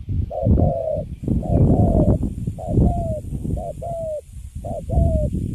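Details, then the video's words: Wild-caught spotted dove of the Cấn Sấm type kept caged, its cooing called quite good: paired coos of a short note and a longer falling one, repeated about every second, partly masked by strong low rumbling noise. "Thổ tơ Cấn Sấm, Bắt về cho vô lòng là đứng im ru. Nước Gù khá là Tốt."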